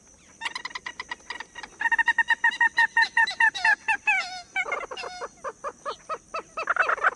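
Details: Common gallinule (Gallinula galeata), call.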